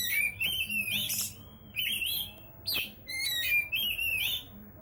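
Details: Oriental magpie-robin singing without stopping: rich, clear whistled phrases mixed with sharp, chattery notes and quick rising slurs, delivered in short bursts separated by brief pauses, over a faint low background hum.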